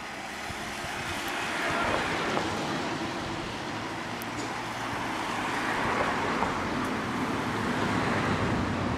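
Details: Continuous road traffic hum and rumble in an urban setting, with no animal calls standing out.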